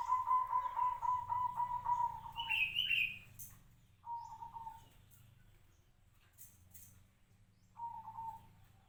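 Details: Local zebra dove kept for five years, singing a rapid run of short, soft, pulsed coos at an even pitch for about two seconds, then a brief higher note, followed by two short fragments of cooing after pauses, with faint background noise.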